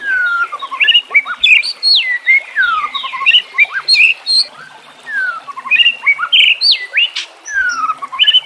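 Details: White-rumped shama singing in a training recording with natural sounds and flowing water: rich whistled phrases with drawn-out falling slides and rising chirps, two bursts split by a brief pause, water murmur steady underneath.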